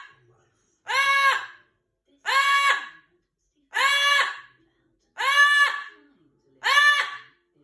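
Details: A Yellow-crowned amazon (Amazona ochrocephala) screams five times in a quiet room. Each scream is loud, harsh and nasal, under a second long, and they come about every one and a half seconds.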